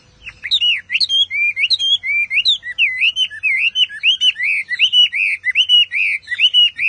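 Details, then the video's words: Chinese Hwamei song: after a few sharp opening notes, a steady run of repeated looping whistles, each bending up and down, delivered rapidly and loudly for several seconds. "Họa Mi Hót Cực Căng"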